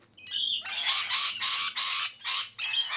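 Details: Rainbow lorikeets at a sunflower seed feed in Sydney, several loud rasping screeches in quick succession, each burst harsh and buzzy, separated by short gaps.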